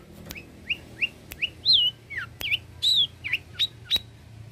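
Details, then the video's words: Long-tailed shrike used to teach caged birds sings a sequence of clear whistled notes, each slurred up or down, interspersed with brief harsh bursts and sharp clicks. "Pancingan suara burung cendet gacor, BURUNG CENDET isian mewah cocok untuk masteran burung"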